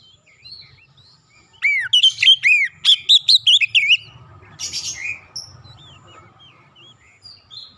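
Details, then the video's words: Oriental magpie-robin singing clearly as a lure for quiet birds: a strong run of quick, arched whistled notes about two seconds long, followed by softer scattered whistles and faint background rumble. "kicauan jernih Kacer pemikat | KACER macet bunyi langsung ikutan gacor"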